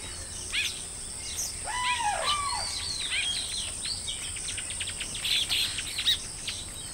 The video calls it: Baya Weaver. Recorded At Colony. Occasional Outbursts Of Calls From Birds